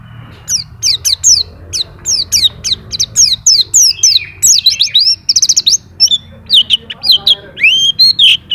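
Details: White-eye, a champion master bird, sings in ngacor style with its isian song fill. It gives rapid repeated high, falling chirps, then a faster twittering stretch with looping and rising whistles, over a low hum.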